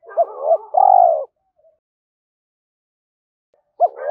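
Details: Cooing of a spotted dove, a lure recording for teaching young captive birds: two short rising-falling notes and a drawn-out final coo, a long pause, then another phrase begins.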